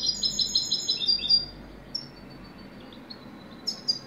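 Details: A short burst of European goldfinch song: quick, high tinkling twitters for about a second and a half, then near quiet with a couple of isolated chirps and a final brief twitter.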